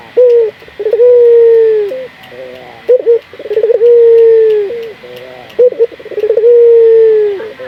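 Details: Local puter dove, a lure recording for training other puter doves to sing: loud cycles of a short clipped coo, a stuttering rolled note, then a long, steady, slightly falling coo, repeating about every three seconds, heard indoors.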